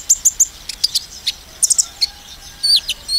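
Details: Brief sunbird phrase in the 'nembak' style for goading other sunbirds: three quick high chirps, scattered sharp ticks, then two drawn-out slurred whistles.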